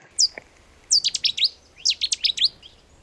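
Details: Cetti's warbler, a small reed bed wetland bird with a very powerful voice; an abrupt, loud burst of sharp high notes after a lone opening note, then another explosive rapid phrase, clean with no other sounds.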